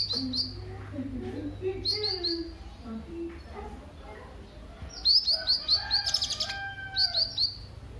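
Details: Sunbird, known locally as kolibri ninja, singing as a lure to get other birds singing: a burst of high, thin, rapid chirps in quick runs, set against softer, lower warbling notes and faint background noise.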